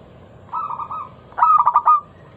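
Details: Lure song from a local zebra dove, intended to make other doves sing: a softer trilled cooing phrase, then a loud, crisp series of five or six fast staccato coos.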